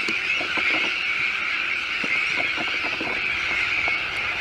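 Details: Breeding Sandwich terns and their chicks on a new shell island at De Putten, Netherlands: a continuous, piercing, grating chorus from the whole colony, dotted with short rapid clicks.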